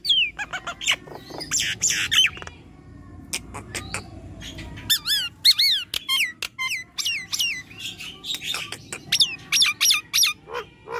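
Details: Nias hill myna in energetic 'gacor' song used to stimulate stalled birds, mixing loud hooked whistles, sharp clicks and harsh squawks in a dense, varied stream with few pauses.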